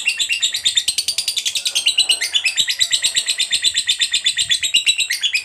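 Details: Lovebird delivering a sustained 'ngekek' chatter used as a lure for other lovebirds. Rapid scratchy trilled pulses go on without a break, briefly dipping lower in pitch midway before rising back to a bright, high chattering run.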